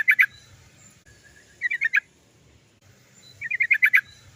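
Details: Long-rolling 'cok cok cok' song of a sooty-headed bulbul, used to get caged bulbuls singing. Three bursts of rapid, bubbly, chuckling notes, each a little longer than the last, separated by short gaps.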